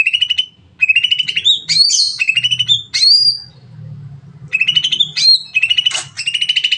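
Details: Greater green leafbird (cucak ijo) delivering a long 'nembak panjang' song to encourage other birds to sing quickly: rapid repeated chattering notes mixed with bright slurred whistles and harsh squeaks, a brief pause mid-way, then renewed fast chatter; steady low background hum.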